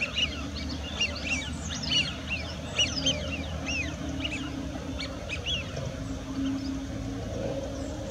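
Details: A flock of Eurasian wigeons (Mareca penelope) at settling ponds in Bedburg gives clear, high, short slurred whistles, overlapping about every second, over a steady low rumble.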